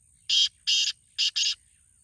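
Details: Black francolin (kala teetar) calling: four harsh, grating, broadband notes in quick succession, the first two separated and the last two run close together, over a quiet background with a faint steady high hiss.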